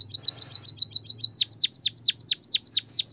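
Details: White-headed munia, called emprit kaji or bondol haji, in a Javanese lure recording meant to make reluctant birds sing: a fast run of high, clipped, repeated notes, then loud downward-sweeping whistles about five per second.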